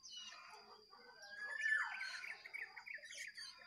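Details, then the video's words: Sooty-headed bulbuls, wild against caged, trading song: a bright liquid whistled phrase rising then falling, followed by quick bubbling chirps. "jongangan gacor 1 Liar Vs 2 Sangkar"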